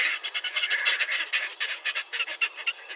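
A Red-necked Grebe gives rapid, harsh, nasal chattering notes, about four per second, uneven in spacing and loudness, with no other sounds.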